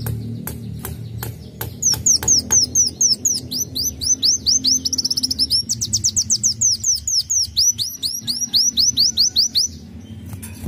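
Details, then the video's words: Black sunbird sings a fast, very high series of thin upslurred notes, rattled off in quick bursts, after a few sharp ticks, over a low steady hum. "Kolibri Wulung isian"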